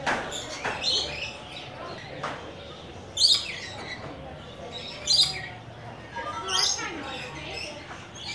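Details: A rainbow lorikeet that has come to visit gives spaced, sharp, high screechy chirps every couple of seconds over quieter background chatter.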